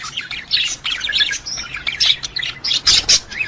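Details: Budgerigar mating sound, used to stimulate a female to breed: dense, scratchy warbling chatter of quick chirps and squeaky notes, bursting almost continuously with brief gaps.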